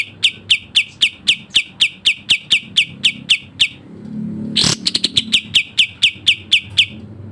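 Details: Sooty-headed bulbul tutor song in the quick, close-packed 'tembak' style: a string of sharp descending chirps, a short gap with low rumbling noise and a harsh burst, then the chirps resume.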